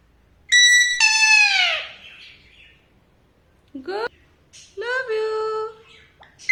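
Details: Alexandrine parakeet calling in a quiet room: a long, loud, descending harmonic screech, then after a pause a quick upward-sweeping squeak and a longer wavering call with a steady tonal tail.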